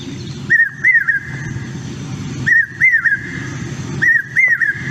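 Common Hawk-Cuckoo singing a loud, whistled three-note 'brain-fever' phrase, repeated about every two seconds over a low background rumble.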